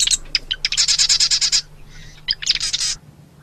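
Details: Marsh wren, a small North American wren, giving a rapid mechanical run of high buzzy notes, about ten per second. A short harsh rattle follows, then a quick burst of scratchy notes, over a faint low hum.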